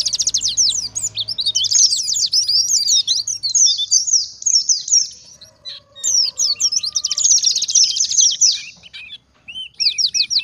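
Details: Wild-type oriental white-eye singing hard, a recording meant to lure other white-eyes into replying and to tutor captive birds. Fast, high-pitched chattering trills come in two long bursts, separated by a quieter gap, and end in short repeated notes.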